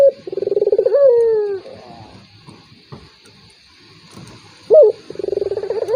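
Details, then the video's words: Turtle dove calling as a lure to provoke a rival reluctant to call: a short bright opening note, then a rolling, pulsed coo that slides downward, with a quiet pause before the phrase begins again. "PANCINGAN BURUNG PUTER || COCOK UNTUK LAWAN YANG MALAS BUNYI"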